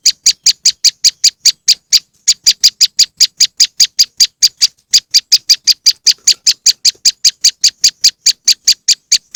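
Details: A long, relentless run of harsh chips from a moss wren lure, nearly three per second, broken only by one brief gap around the two-second mark.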